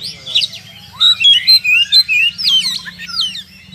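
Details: Oriental magpie-robin singing to provoke rival birds to fight: after a soft start comes a dense string of loud whistled phrases, with sharp up-and-down sweeps and chirps in quick succession, over a faint low hum.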